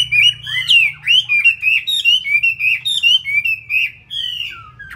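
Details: Caged Chinese hwamei, a fighting bird from Hanoi, Vietnam, sings a loud, rich run of whistled notes, sliding up and down and repeated in quick, uneven bursts, with a faint low hum in the room.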